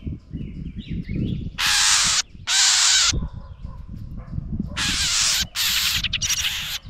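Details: House wren angered by a GoPro near its nest utters repeated harsh, broadband rasping scolds, each about half a second long, in irregular clusters over a low rumbling background.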